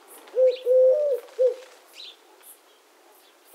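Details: One three-note coo phrase from a Eurasian collared dove (Streptopelia decaocto), a short note, a long slightly rising coo and a short last note, followed by quiet with faint chirps; another phrase starts at the end.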